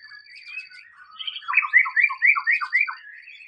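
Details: White-rumped shama in the wild delivering a loud, fast series of rich slurred whistles, about four notes per second, over a thin steady high tone in the background.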